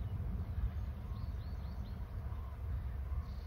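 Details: Paired eagles calling as one soars. Four thin, high notes fall in pitch in quick succession, with fainter lower notes after them, all over a constant low roar of wind.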